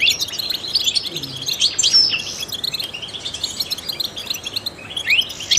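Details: Trained European goldfinch singing: a dense, rapid twittering of high, tinkling chirps and short rising slurs, running almost continuously and dipping slightly in the middle, with a faint low hum beneath.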